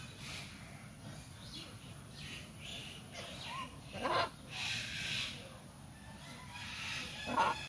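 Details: A great green macaw (Ara militaris), also called Buffon's macaw or great military macaw, gives a few harsh, raspy squawks, loudest around the middle and at the end, over a steady background hiss.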